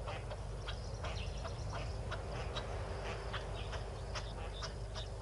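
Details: A yellow-billed duck with six ducklings at Tau Waterhole, South Africa, 12 February 2022 around 4 PM, gives short, sharp calls in quick irregular succession over a steady low rumble.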